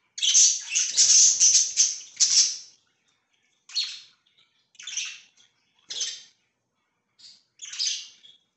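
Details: Budgerigar chirping, kept as pets: a loud, dense chattering burst lasting over two seconds, then shorter harsh chirps spaced about a second apart.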